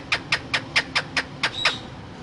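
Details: Parrot uttering a steady run of eight short, clipped raspy notes, evenly spaced about a fifth of a second apart, the last with a brief whistled tone.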